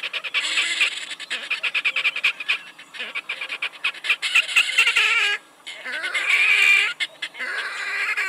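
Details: Red-necked Grebe giving loud, continuous squealing and chattering calls. Rapid pulsed harsh notes run almost without a break, with drawn-out wailing squeals rising and falling near the end.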